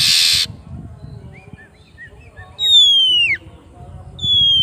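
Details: Oriental magpie-robin calling a rival, ngeplong style: a harsh noisy burst opens, soft short notes follow, then one long falling whistle and the start of another, over low rumble.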